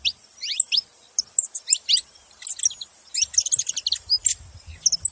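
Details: Saffron finches in a group give bursts of bright high chirps and descending slurred notes in uneven clusters, with short pauses and a faint low murmur late on.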